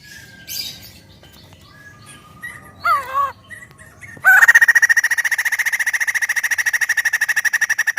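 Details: White-crested laughingthrush, a kept bird, singing loudly; scattered whistles and a wavering warble lead into a long, loud rattling burst of fast pulsed notes that holds steady to the end.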